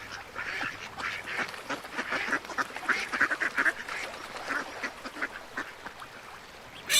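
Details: A busy mix of overlapping quacks and gabbling from several little ducks continues throughout, with a sharp noise at the very end.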